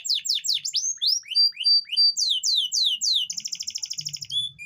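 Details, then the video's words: Canary song aimed at stimulating reluctant females to breed: a fast run of falling whistled sweeps, level piping notes, then a rapid buzzing trill and a final short whistle. "Suara memancing kenari betina susah kawin"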